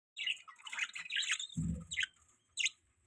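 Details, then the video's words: Budgerigars in the morning, parents feeding their chick: a cluster of bright, overlapping chirps in the first second and a half, a low thump, then two short, sharp chirps spaced apart. "Beautiful Budgies Chirping Sounds"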